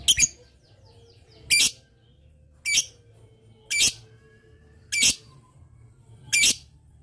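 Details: Lovebird calling to make other lovebirds answer: six harsh, high-pitched squawks repeated at steady intervals of just over a second, each short and rasping, with low background hum.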